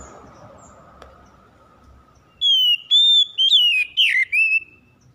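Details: Oriental magpie-robin, called kacer, sung as a lure to revive reluctant singers: after a low hum, five loud whistled notes follow one another, the last ones swooping downward.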